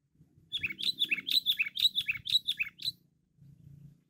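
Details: Loud, energetic sooty-headed bulbul lure song: a lively run of about a dozen bubbly, slurred notes, each dropping in pitch, over a faint low hum.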